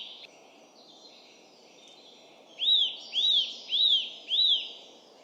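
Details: Eurasian nuthatch (Sitta europaea) in UK woodland in early spring: instead of a song, a loud ringing call echoing through the woods, four whistled notes rising and falling about two per second over a low rumble.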